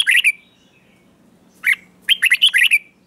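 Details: Red-whiskered bulbul singing in the morning as part of song training: short bright warbled phrases around mid-high pitch, one burst, a pause, then a quick run of four or five chirpy notes; quiet background.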